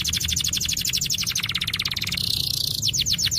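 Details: Canary song used as a master recording to get silent birds singing: fast, rapid trills of repeated chirped notes, shifting to a sustained buzzy tone, then resuming quick repeated notes, against a low background hum.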